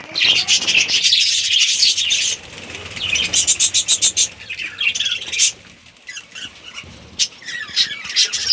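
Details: A budgie breeding colony chirps in bursts: a dense chatter at first, then rapid clipped tweets and short squawks with quieter gaps between.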